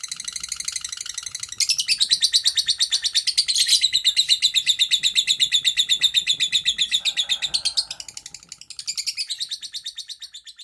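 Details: Lovebird giving the long 'ngekek panjang' chatter, recorded to train other lovebirds. A sustained, shrill, rapidly pulsing chattering runs on for several seconds, briefly fades, then resumes more softly.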